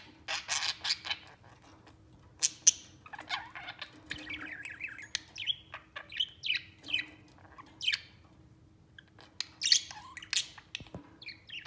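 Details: A group of three budgerigars, playing and affectionate, fills the air with twittering warble: sharp chirps, wavering squeaky phrases and clicks in irregular bursts separated by short quiet spells.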